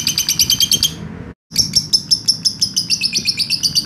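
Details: Lovebird giving a long 'ngekek' trill, recorded as a master track to train other birds: rapid, shrill, even chirps about three per second, with a brief break before the run resumes unchanged.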